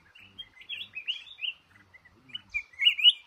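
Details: Caught male red-whiskered bulbul singing in a cashew garden: soft, sweet warbled notes spaced apart, then a louder rising, chattering phrase at the end.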